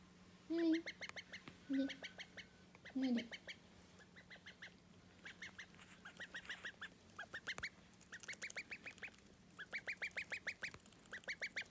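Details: Young call duck, a pet chick whose voice changed within three hours, gives three low hoarse breaking quacks, then long runs of rapid high peeping, several birds' peeps overlapping toward the end.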